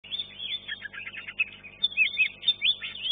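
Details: Green leafbird competing in class 1 at a bird singing contest arena and placing third; a rapid, dense run of bright, varied chirps and slurred whistles, with short rising and falling notes tumbling together.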